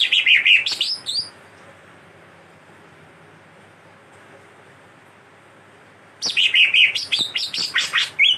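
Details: Greater green leafbird, a lively chattering singer whose song carries imitated cililin and kastem songs: a burst of harsh, fast buzzy notes and bright whistles, a long quiet gap, then a second rapid chattering run with sharp high notes.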